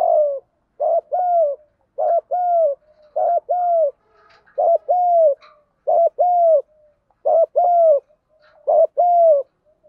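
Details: Continuous 'giọng đồng' fighting coo of a spotted dove, used as a lure to provoke wild doves. Soft paired coos, each a brief note then a drawn-out falling one, come in steady repeated phrases.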